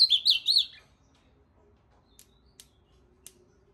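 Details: A short, fast burst of three or four high, warbled whistles from an ultramarine grosbeak, then near silence broken by a few faint clicks.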